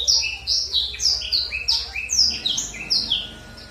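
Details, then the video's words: Lure song of a black-throated canary, used to provoke a captive bird into singing. A fast, continuous chain of sweet, downslurred chirps repeats in a bouncing rhythm over a faint low hum. "Pancingan Blackthroat berkicau dijamin emosi"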